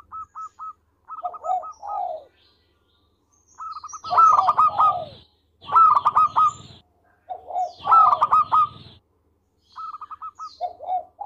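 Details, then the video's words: Local zebra dove in full song, meant as a tutor recording: repeated phrases of low mellow coos running into rapid staccato trills, each burst lasting about a second with short pauses, some phrases loud and distorted over a low hum. "Perkutut Lokal Gacor Suara Merdu"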